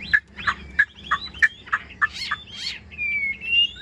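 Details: Chinese hwamei kept as a caged bird giving a string of short, sharp chipping notes about three per second, then a thin drawn-out whistle rising slightly at the end.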